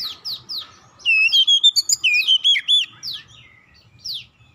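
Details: Magpie-robin singing as a lure to draw responses from other magpie-robins: a few sharp downslurred whistles, then a dense rapid burst of wavering, ringing notes, then more single sweeping whistles fading out.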